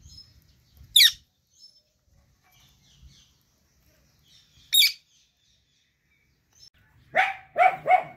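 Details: Indian ringneck parrot taking a bath: three sharp high screechy squawks, two brief single shrieks near one and five seconds, then a harsher trio of rasping calls at the end, with faint splashing between.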